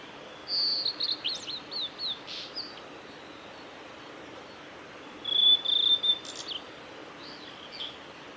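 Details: A singing male blue-and-white flycatcher on a forest road by Lake Miyagase, Japan, 17 May 2020: two separate phrases, each of high whistled notes trailing into short chirps, with a pause of about two seconds between them and light background hiss.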